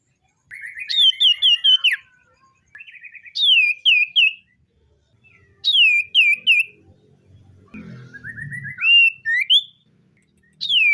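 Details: Morning song of a captive common iora: groups of three or four ringing upswept whistles delivered in bursts about every two seconds, with a brief low rustle midway.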